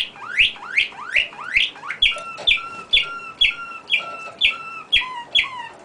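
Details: Songbird singing a loud, clear series of upward-sweeping notes about every half second, then switching to sharp downward-slurred whistles paired with a lower steady tone, each repeated at an even pace.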